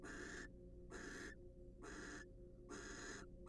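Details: Nest-box barn owls, wild and engaged in mutual preening and courtship, give four harsh noisy screeches, each about half a second long, spaced closely over three seconds, with a constant low hum.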